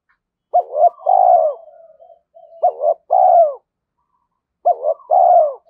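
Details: A trained decoy spotted dove cooing in challenge to wild males. Three quick phrases come about two seconds apart, each a clipped note, a rising coo and a long falling purr. A soft trailing murmur follows the first phrase.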